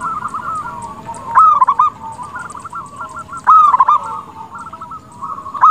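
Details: Zebra dove of local breeding singing steadily, used to lure others into answering: loud rolling coo phrases about every two seconds, a sharp note starting each, with quieter trilling coos filling the gaps.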